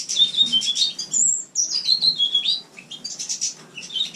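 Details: House finch singing indoors in a shared aviary room in winter, captive-bred; a fast, high, warbling run of chirps and slurred notes with a brief pause, then renewed twittering, faint low room hum beneath.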